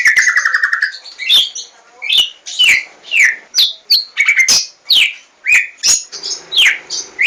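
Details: White-rumped shama song opening with a rapid trill over a steady whistle, then a string of loud, clear downslurred whistles and sharp clicks spaced about half a second apart.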